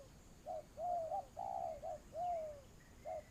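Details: A spotted dove serving as a decoy for trapping coos in a low, mellow series: brief notes, then drawn-out falling coos, with a faint high bird note in the distance.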